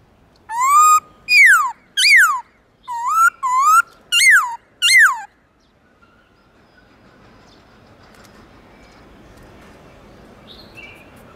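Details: Morning forest-style song of a black-throated laughingthrush, loud and clear. About seven rich whistled notes, some sliding down and some swelling upward, come over five seconds before the bird falls quiet over soft background hiss.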